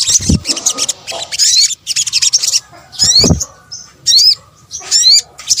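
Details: Sunbird calls, the Indonesian sogok ontong, combined for luring birds: choppy, high chattering bursts alternate with distinct rising whistled notes repeated in short groups, plus a couple of low thumps.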